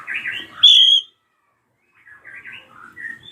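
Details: Drongo scream used to spur young birds into singing: a burst of scratchy chatter, a loud, high, ringing whistle, a pause, then softer twittering notes.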